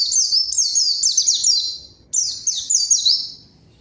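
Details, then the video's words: White-eye singing strongly as a lure to summon a rival and rouse silent birds: two dense phrases of fast, piercing, downslurred notes separated by a short break. "PANCINGAN PLECI GACOR MANGGIL LAWAN COCOK UNTUK PLECI DIAM AGAR CEPAT BUNYI DAN GACOR"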